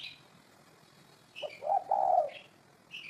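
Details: A spotted dove gives a single low coo phrase, a short lead note and then a long hollow tone, framed by scattered high chirps from another bird.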